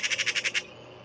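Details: Eurasian magpie taunting a cat in Île-de-France, France, in April 2023: one harsh, rapid rattling chatter of about seven grating 'chak' notes in just over half a second, then quiet.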